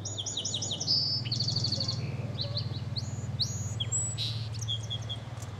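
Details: Song sparrow in a song-type-matching experiment, where matching is an early threat signal, sings bright opening notes, then a quick buzzy trill and scattered high chips over a steady low hum.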